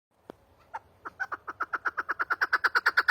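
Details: Chukar partridge calling: a few scattered clucks that quickly build into a fast, accelerating run of loud chuck notes, over a faint low hum.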